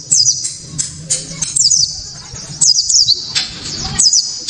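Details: Sharp, clear Japanese white-eye song intended to draw other white-eyes into singing: brief bursts of very high, fast downslurred twitters repeated about once a second, separated by short gaps.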